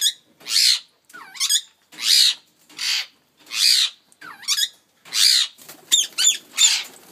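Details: Pet ringneck parrot of a colour mutation, calling indoors: loud, harsh, screeching squawks repeated roughly every three quarters of a second, a few with a wavering whistled edge, ending in quicker sharp chattering notes.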